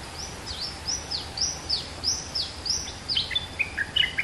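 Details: Caged male bulbul kept two months, singing over steady background hiss: a row of sharp, high, down-slurred whistles about twice a second, ending in quicker broken chirping notes.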